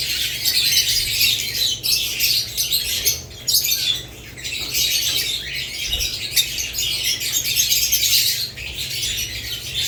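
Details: Budgerigars and lovebirds in a flock chorus of harsh squawks and fine chirps, the racket pausing briefly around the fourth second before resuming.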